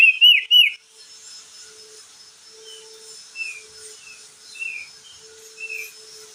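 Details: Crested jay shrike in lively, loud full song, offered as a prompt to restart stressed birds that stopped singing. It opens with three loud rising-and-falling whistles, then softer short slurred whistles come roughly every second over a faint steady hum.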